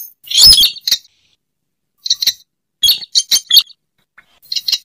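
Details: Slaty-breasted rail lure sound: a loud rasping burst, then clusters of quick high squeaky clinks separated by short silences.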